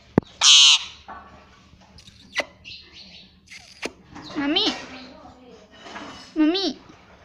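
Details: Talking parrot saying "mummy" among sharp clicks and taps: a loud harsh burst early on, then two wavering, bending imitations of the word later.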